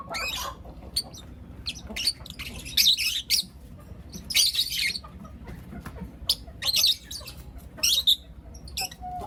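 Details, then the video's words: Four young lutino lovebirds chirp in the morning, giving bursts of shrill, grating high chirps in quick clusters every second or so, with faint softer twitters between. "Lutino LoveBird Chirping Sounds - four Cute LoveBird Kids"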